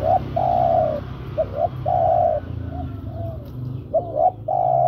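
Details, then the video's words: Spotted dove calling a female, used for luring birds: long mellow coos alternate with pairs of short rising notes in a repeating rhythm over a steady low hum. "Suara tekukur memanggil betina"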